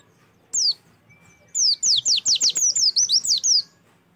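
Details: Oriental white-eye song played to prompt a captive bird to start singing: a high whistled note, then a rapid run of about a dozen sharp descending whistles near 4–8k, bright and evenly spaced.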